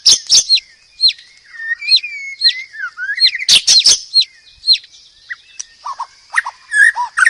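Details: White-rumped shama in lively 'gacor' song: spaced clear whistles sliding downward, clusters of sharp clicks, and short low slurred notes near the end.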